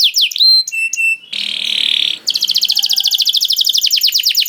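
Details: Canary song used as bait for other canaries: swooping whistles and short held tones, a harsh buzzy grating section, then a fast, even, rattling trill of high notes.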